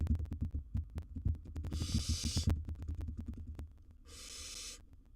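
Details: Wild baby barn owl in a monitored nest box with a large gerbil as prey: two harsh, hissing screeches, each under a second, rise over a dense run of knocks, thumps and scraping from movement inside the box.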